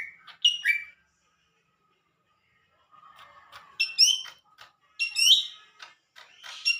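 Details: Singing Lesser green leafbird: a couple of quick descending whistles, a silent gap, then soft twittering that builds into loud, high, rapidly modulated whistled phrases and sharp chips.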